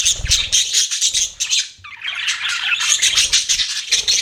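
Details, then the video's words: Budgerigar chirping: continuous high, grating chatter with rapid squeaky notes, briefly dipping then rising again, a low thump at the start. "BUDGIES CHIRPING SOUND"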